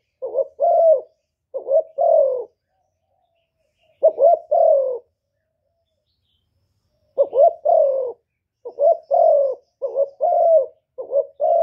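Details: Vietnamese decoy spotted dove from Cà Mau, gù kích bổi style cooing to challenge wild birds; groups of low hollow coos with long pauses between bursts, then a quicker closing series; nothing else audible.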